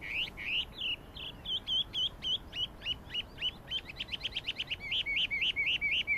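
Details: Chinese hwamei song, 12 April 2009: rapid repeated hooked whistles, each phrase type given in series, accelerating toward a fast run of short rising notes at the end.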